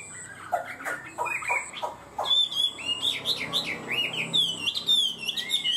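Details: Caged Chinese hwamei, steady 'cao cầu' singer: rough chattering notes at first, then a fast series of ringing upslurred whistles repeated in quick succession, with a faint electrical hum.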